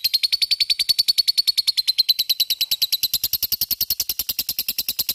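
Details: Long ngekek trill from a lovebird, meant to set other lovebirds singing: a very regular, sharp, high-pitched pulsing, around four beats a second, that stays strong and steady throughout.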